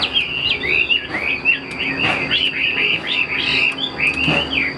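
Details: Chinese hwamei in a cage sings continuous fluty whistles that slide and warble without pause, the phrases running together, while a thin steady whine hums behind.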